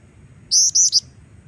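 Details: Singing female Black-winged Flycatcher-shrike, kept as a training lure for young birds: three sharp, high-pitched chirped notes in rapid succession after a quiet start, with low background rumble.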